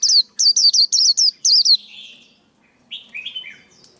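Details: Male white-eye singing, a recording meant for training young birds' voices and luring for trapping: a quick run of seven high looping whistled notes, then a trailing buzz and softer descending chirps.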